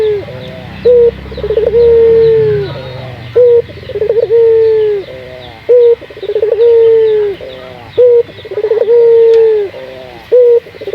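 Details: Local puter dove calling as a singing lure for other puter doves: a regular cycle of a brief sharp note, trembling rolled notes and a long held coo sliding down at the close, repeated roughly every two to three seconds.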